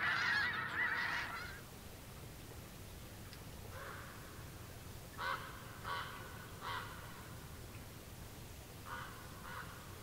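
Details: Snow Geese flocks coming down to land. A burst of loud overlapping honks opens, then fades into scattered single and paired nasal honks, more distant, spaced a second or more apart over a soft background hiss.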